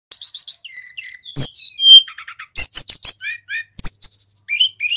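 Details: Mountain tledekan, a local wild bird, in lively full song used as a lure to stir other songbirds into singing: fast buzzy stuttered bursts alternating with short clear whistled notes and rattled trills.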